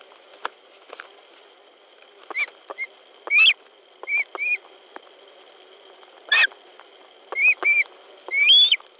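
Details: Osprey at a nest in Latvia on 10 July 2013 at 19:10, one young bird trying to take a fish from another; short whistled chirps at irregular intervals, a few louder sharp yelps, with a steady high hum behind.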